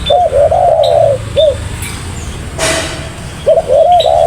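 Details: Spotted dove, known locally as tekukur, calling vigorously: husky arched coos near mid pitch strung into a phrase, a short gap, then another coo series; a brief hiss-like noise burst midway and faint high chirps behind.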